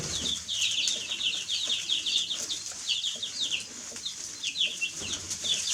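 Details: Many baby chicks peeping together, a busy stream of shrill, downward-sliding chirps that thins out midway and then resumes, with soft low rustling beneath.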